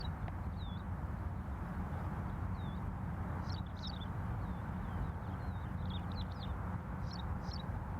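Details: Graceful prinia, a male and female in a courtship display on a farm in Saudi Arabia. Thin, high chirps and short curved notes come in loose bursts, some in quick clusters, over a steady low engine rumble.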